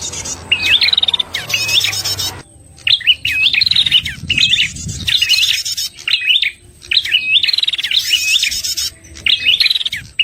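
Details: Lure call of a red-headed prinia, used by bird trappers to attract prinias: repeated bright, high, jerky chirping phrases in quick bursts with brief pauses, a faint low hum early on.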